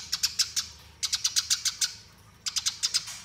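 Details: Eurasian tree sparrow giving a 'fighting' song used as master training material for songbirds: three bursts of rapid, high, sharp chirps, about five to eight notes each, separated by short pauses.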